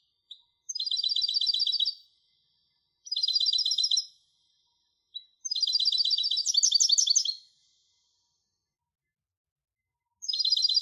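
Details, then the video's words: European goldfinch hybrid singing bright, high trilled phrases of rapid twittering notes, delivered in bursts of one to two seconds separated by short silent pauses, with a richer, denser burst midway; no other sounds. "تغريد هجين الحسون Canto De Mixto del Jilguero"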